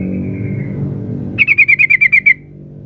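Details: Sooty-headed bulbul female calling the male: after a faint, thin falling whistle over low noise, a single crisp burst of nine evenly spaced, sharp chattering notes, each slightly lower than the last.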